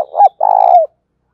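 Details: Spotted dove coo for prompting caged doves to coo: a short rising hoot, a brief pause, then a steady, finely throbbing coo that glides down at its end, followed by silence.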